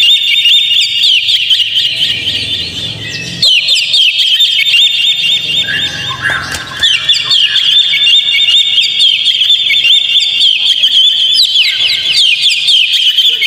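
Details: Lure song of an Oriental magpie-robin, meant to spur another bird into singing: a long, unbroken stream of high whistles, chattering trills and quick slurred notes, with short dips in loudness.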